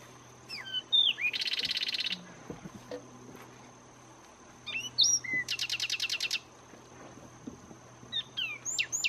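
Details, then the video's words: Zapata Wren in song at Zapata Swamp, Cuba, a melodious wetland endemic: two strophes of sliding whistles leading into a rapid dry rattle, each about two seconds, with a third phrase starting at the end over faint background hum. "Zapata Wren singing in Zapata Swamp, Cuba"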